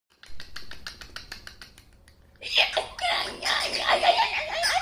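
A cockatiel makes a quick run of dry clicking notes, then breaks into loud, harsh squawking chatter.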